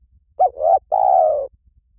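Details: Lure call of a spotted dove: a single mellow phrase, a brief coo followed by two drawn-out hollow coos, the last one long and gently falling.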